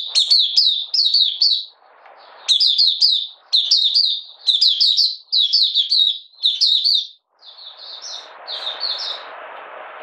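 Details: Oriental white-eye from Malaysia, not in form and in slight moult, warming up its song on 31 July 2023: a string of fast, high chattering twitter bursts, the final phrases softer over rising background noise.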